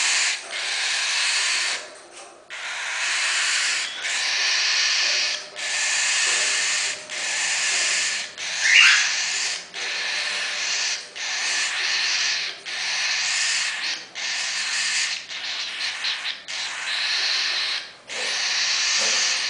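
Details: Young pearl cockatiel chicks, 22 days old, give harsh, hissing rasps, each about a second long, repeated steadily.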